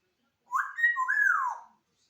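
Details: Pet African grey parrot indoors in a small room giving one clear whistle that rises, then slides smoothly down, lasting just over a second.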